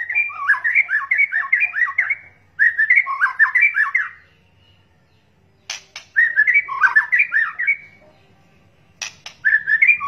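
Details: White-rumped shama lure sound with kretekan calls, male and female: fast looping warbled phrases of rich whistles, repeated in bursts with pauses, punctuated by harsh rasping chatters.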